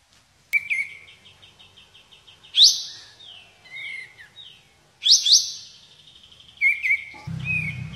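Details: White-shouldered triller, local name kapas tembak, in 'tembakan' song: a thin sustained trill, loud double-noted bursts, short wavering whistles, with low rumbling noise at the end.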